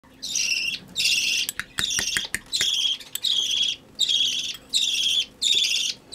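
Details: Budgerigar chick being hand-fed, giving harsh, raspy begging calls in a steady series of about eight bursts, roughly one per second, with a few sharp clicks early on and a soft background hum.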